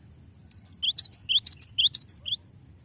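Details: Gelatik batu (cinereous tit) giving a long rolling song, used as a tutor recording for songbirds: a quick series of about a dozen bright, sharp chirped notes, alternating high and lower pitches, over a faint low hum.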